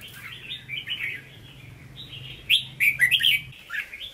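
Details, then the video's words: Hue-style song from a caged red-whiskered bulbul for sale: soft chattering whistles, then a loud quick burst of five or six bright notes, with a low hum beneath and a steady thin tone. "Chào Mào Chuẩn Giọng Huế Hót Ché"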